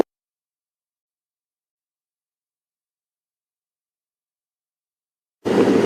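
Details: Near-total silence that breaks off into a sudden burst of noise at the very end.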